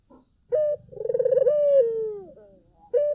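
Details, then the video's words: Collared dove in full song as a lure: a clipped opening note, then a quavering coo easing into a long, sinking tone over a low steady hum, with a new note starting at the end. "SUARA BURUNG PUTER GACOR!"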